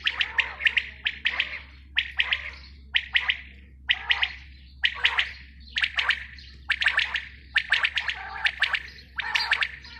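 A female quail gives short, raspy chirping notes in quick clusters, roughly one burst per second, over a faint low steady hum.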